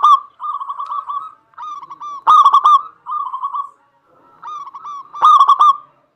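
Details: Local zebra dove singing, a lively bird used to provoke other doves into song: low trilled cooing phrases, each about a second long, with loud stuttering bursts near 2 and 5 seconds among softer rolling coos.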